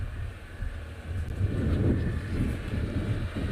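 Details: Steady low engine rumble and wind buffeting during a sunrise safari drive, with no animal calls.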